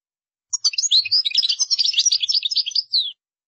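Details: Singing European goldfinch in the qdara style, an unbroken two-and-a-half-second flow of quick, bright chirps, tinkles and trills, ending in a slurred note, with no other sounds.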